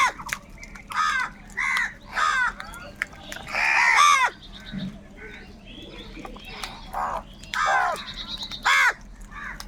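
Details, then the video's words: Crows calling loudly while fighting over food, a chorus of harsh, nasal caws in short bursts from several birds, some overlapping, with brief quieter gaps between them. "Crow birds loudly crowing sounds - কাকের ডাক Crow Sound | Kaka sound and noises of crow birds"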